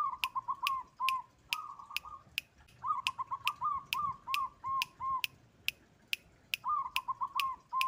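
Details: Local white-barred zebra dove singing, a recording meant to provoke and panic rivals: mid-pitched cooing phrases of fast rolling trills and short arched notes, broken by brief pauses, over sharp ticking clicks about twice a second.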